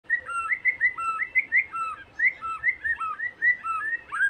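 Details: White-rumped shama song used to provoke a caged bird into singing: a steady series of short whistled notes, each rising or falling, repeated rapidly in varied phrases.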